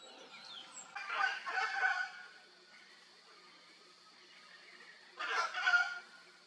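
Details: Wild Hyacinth macaws playing around in Brazil give harsh, grating squawks in two bursts, a double call near the start and another after a pause, over a faint steady hiss.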